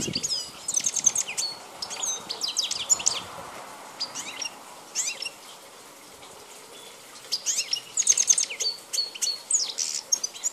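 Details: European goldfinch, a wild bird of the Balkan form, 2010, delivering bursts of fast tinkling twitters and chirping trills, pausing silent for a few seconds midway before resuming its bright, jumbled song.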